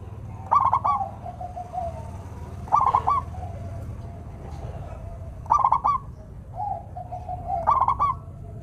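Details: Zebra dove, local type, in song used to rouse lazy doves: four rattled coo bursts at irregular intervals, some followed by a gliding hummed tail, above a steady low rumble.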